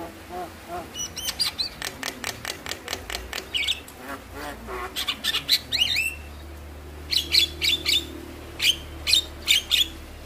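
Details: Javan myna sounds played to stimulate lazy mynas to sing: series of sharp clicks and a few sweeping whistles, then spaced short, bright chips at irregular intervals, with a low rumbling hum throughout.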